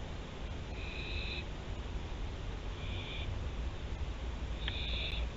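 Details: Barn owls at Théding, France, 24 September 2021, giving three harsh, breathy screeches lasting up to about 0.7 seconds, the last one loudest, over low steady background noise.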